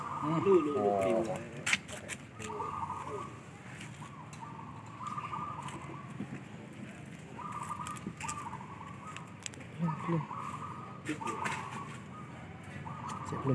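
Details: Zebra doves in Indonesia at Sunday morning training before an anniversary singing contest: soft cooing phrases near one pitch, repeated in overlapping bursts, with a wavering coo early on, plus men talking and distant vehicle noise.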